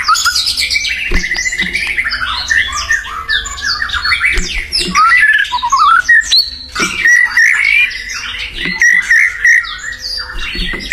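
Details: Wild white-rumped shama in full, vigorous song: a dense stream of varied whistles, slurs and chattering notes, some rising and falling sharply, with a few brief pauses between phrases.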